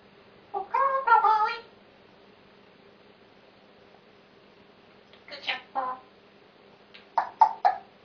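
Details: Pet grey parrot talking indoors, recorded 26 November 2007: three bursts of speech-like chatter with harmonic, voice-like syllables, separated by quiet pauses, over a faint steady room hum.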